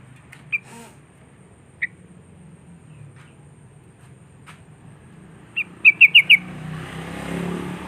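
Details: Sooty-headed bulbul calling to draw rival wild birds. Scattered single chirps lead into a quick run of five bright, even notes. A rising rushing noise, like a passing vehicle, follows.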